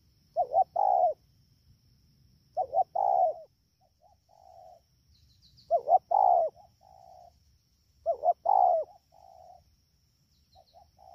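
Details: Wild-caught spotted dove recorded at Đak Tô, Vietnam, on 3 October 2019 in the rainy season, calling fast: groups of two short mellow coos followed by a softer drawn-out note, repeated about every two to three seconds over a quiet background.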